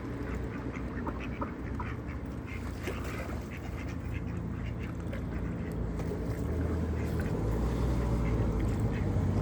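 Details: A flock of village ducks being fed on a cold evening in Flintshire, North Wales, calling hungrily; dense, steady stream of short nasal quacks from many birds over low background rumble and splashing.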